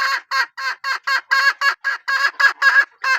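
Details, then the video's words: Hen from a strain said to call well repeats short, loud, raspy squawks about four times a second in a steady, even series. "ตัวเมียสายร้องเกั่ง, poj qaib seev tsauj zoo heev"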